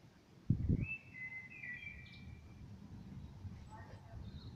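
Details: Common blackbird singing in the evening: one clear fluted whistle phrase, level then sliding, held for over a second after a brief low thump, with faint distant chirps afterwards.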